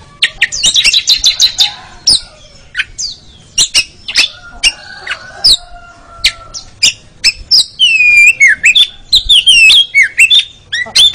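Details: Training song of an Oriental magpie-robin for competition birds: scattered sharp clicks and ticks, a faint whistle, then loud rapid notes and clear, swooping, downward-slurred whistles toward the end.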